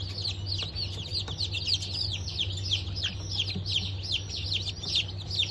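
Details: Newly hatched Bantam Cochin and Sussex chicken chicks, hatched 3 November 2024: a dense chorus of many high, thin peeps overlapping continuously, each a short falling chirp, with a steady low hum underneath.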